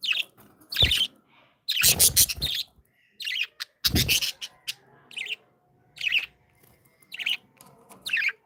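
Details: Happy budgerigars chirping: loud harsh squawky bursts followed by shorter warbled chirps spaced about a second apart, with faint background chatter.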